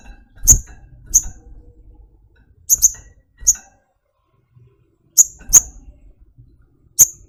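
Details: A caged flowerpecker repeats thin, piercing ticks, some doubled, roughly every half second to second, against an otherwise quiet background.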